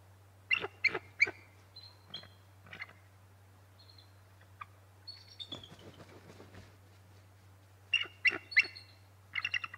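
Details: Bald eagles at the Decorah North nest, around 6:00 am on 6 March 2018, calling during a shift change as the male flies toward the nest: high, thin chittering bursts of three or four sharp notes, a few squeaky whistles, over a low electrical hum.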